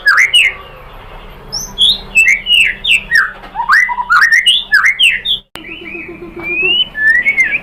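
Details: Murai batu, the white-rumped shama, in an Indonesian lure recording to stir birds to respond: a lively stream of varied, sharply slurred whistles and chirps, briefly cut by a click before a long rising whistle.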